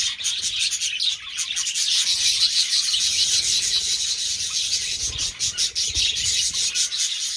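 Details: Budgerigars during mating produce steady high-pitched warbling chatter, busy and overlapping, with rapid irregular chirps and scratchy notes running for the whole stretch and a few soft low thumps near the end.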